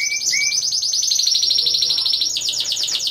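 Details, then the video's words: Timbrado Español singing canaries at a 2015 contest-show, team category of four. Two short rising whistles lead into a fast, continuous, rattling roll that shifts slightly in tone near the end. "2ος Διαγωνισμός - Έκθεση Καναρινιών Φωνής Timbrado Español"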